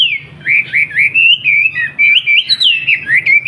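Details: Wambi from Surabaya, Indonesia, used as a master song for training young bulbuls: a continuous chain of fluid, looping whistles and warbles, each short phrase sliding up and down. A faint low hum sits underneath.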